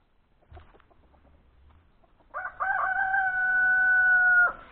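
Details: Rooster in company with turkeys. A faint low noise comes first, then a strong crow with a stuttering start and a long flat held note that drops off sharply at the end.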